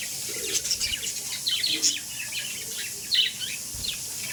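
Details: Budgerigars warble in rapid high twittering phrases, with a louder burst near the end, over steady background hiss.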